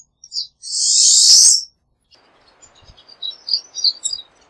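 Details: Pine siskin with a loud, long wheezy buzz, then softer high twittering over a faint low rustling background.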